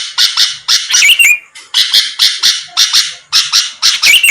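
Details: Sooty-headed bulbul in full voice, meant to provoke rivals into a fast reply: clusters of grating, noisy notes broken by short gaps, several ending in a sliding whistled squeal.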